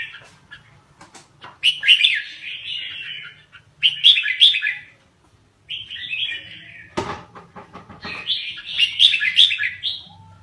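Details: Red-whiskered bulbul, Lao type and kept caged, delivering rapid warbled phrases separated by brief silences, each a cheerful run of liquid whistles; a sharp knock or thump is heard partway through.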